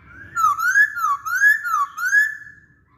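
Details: Masked laughingthrush song, used as a lure for other birds: five slurred whistles in a row, each rising and then falling, in a smooth, even rhythm.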